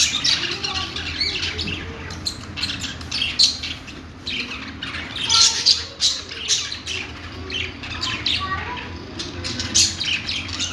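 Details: Budgerigar chatter: irregular high tweets and scratchy squawks over a steady low hum, louder clusters around the middle and near the end.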